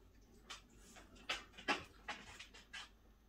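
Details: A Great spotted woodpecker (Dendrocopos major) calls with sharp, high 'kik' notes, five or six spaced irregularly over three seconds, against a quiet background.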